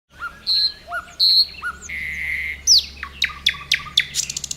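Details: Common nightingale singing at Khoroshevo on 29 May 2011: repeated pure whistled notes with a rising end, a long buzzy note, then a fast series of sharp descending clicks that speed up, over a low steady hum.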